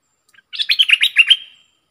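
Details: Decoy bulbul, a fierce, in-form singer kept for luring birds, gives one lively bubbling phrase of about a second: seven or eight quick, slurred whistled notes ending in a thin drawn-out tail.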